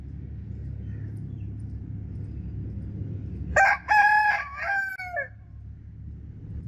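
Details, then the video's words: One rooster crow rising out of steady low background noise, loud and harmonic, in several linked parts ending with a downward slide. "Rooster Crowing Sound Effect Continuously"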